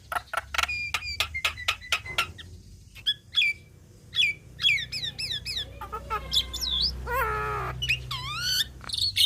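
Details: Javan myna in full song for teaching songbirds: rapid sharp clicks with short whistles, then a jumble of looping whistles and a harsh nasal note rich in overtones, changing phrase by phrase.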